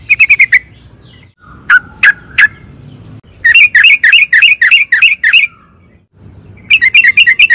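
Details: Trucukan (sooty-headed bulbul) in energetic song meant to provoke a reply: short bursts of rapid, bright chirps, a few sharp single notes, and a rolling series of repeated warbled notes.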